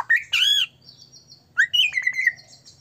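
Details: White-rumped shama in full song, used as a lure to provoke other shamas into singing: a loud whistled note, then a buzzy, harmonic, arching phrase, a pause, and a rising whistle sliding into a steady, slightly slurred tone.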